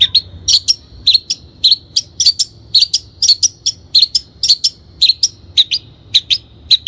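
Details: Long-tailed shrike (cendet) in a recording meant as a training lure: fast, energetic chatter of short sharp notes, close to two per second, steady and loud throughout.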